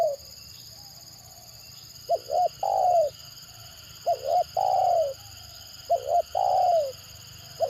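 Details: Spotted dove, the stuttering 'gagap' type said to provoke lively replies from other birds; three phrases, each two quick clipped coos followed by one long falling coo, roughly every two seconds, with a faint constant high hum behind.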